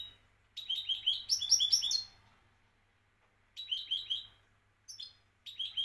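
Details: Goldfinch song from Morocco: bursts of bright, rapid tinkling twitters and trills, each burst about a second long, with short silent pauses between them and a faint low hum underneath.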